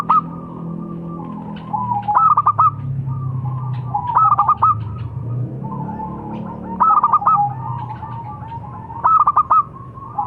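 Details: Short phrases from a local zebra dove, each a few quick ringing notes, come roughly every two to three seconds. Softer rolling coos link them, with a steady low rumble beneath.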